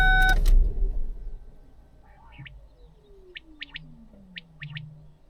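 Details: Common quail singing around 5:30 in the morning in summer from a low-vegetation field very close to a road: two faint, quick triplets of sharp liquid 'wet-my-lips' notes, with a low rumble, a passing engine drone and a loud knock at the start.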